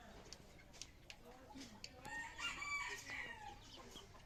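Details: Red junglefowl crowing: a drawn-out, harmonic-rich crow about a second and a half long rises out of faint, scattered chirps and background rustling in the first half.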